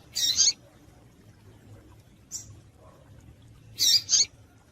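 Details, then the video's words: Calls of a female double-collared seedeater, meant to excite males: a doubled high chip at the start, a faint single note midway, then another quick pair of sharp high notes near the end, with a quiet low hum beneath. "Piado de Fêmea de Coleiro para Esquentar Coleiro"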